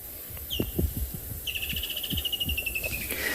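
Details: Woodland Kingfisher, recently arrived, calling at sunset on 30 November in Tswalu Kalahari Reserve, South Africa: one sharp high note, then a long, rapid, high-pitched trill that slowly falls in pitch, with low thumps and rumbling underneath.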